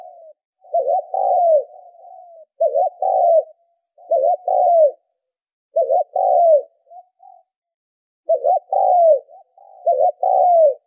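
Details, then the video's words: Spotted dove calls meant to lure and train decoy birds. Five or six phrases of low, throaty coos each start with a quick double note and fall away into a drawn-out tail. Brief soft notes fill the pauses. "tiếng chim cu gáy kích mồi tập bổi hiệu quả"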